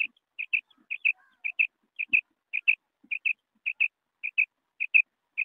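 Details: Common quail calling: sharp, high, clipped notes given in quick pairs, each pair repeated about every half second for ten pairs in a row, with a quiet background and only faint low knocks between them.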